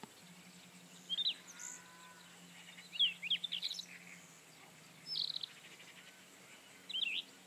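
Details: Rufous-tailed scrub robin singing: short whistled phrases of quick rising and falling notes, given in spaced bursts with pauses between them, over a low steady hum.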